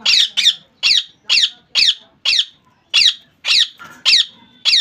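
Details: Harsh repeated screeches from a pet rose-ringed parakeet, about two per second, steady and insistent, each call rough and piercing, recorded indoors.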